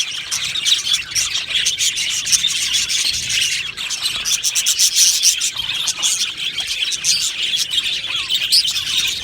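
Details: Aviary of Australian budgies producing unbroken twittering, a high, scratchy, warbling chatter from numerous birds with brief louder bursts of chirps.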